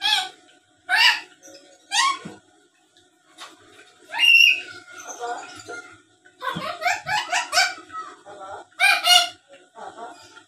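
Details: Talkative black-capped lory used as a lure recording for rivals: rapid, speech-like chatter of choppy syllables mixed with a clear whistle, in dense bursts over ten seconds.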